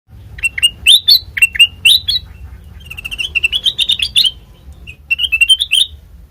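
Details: Sooty-headed bulbul (kutilang) song used as a lure for other birds: bright whistled notes around mid-high pitch in quick clusters, each note rising then dipping, repeated in bursts with brief gaps and a faint low hum beneath.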